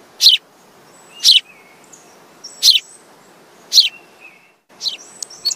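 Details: Possibly a house sparrow giving short, bright chirps about once a second, with a quicker burst of chirps at the end over a low background hiss.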